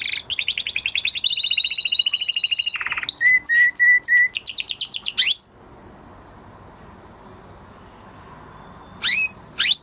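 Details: Male canary singing after its moulting period: fast trilled phrases of rapid repeated notes, a low buzzy roll, then sharp chips and whistled slurs for about five seconds, followed by near silence broken by two brief high notes.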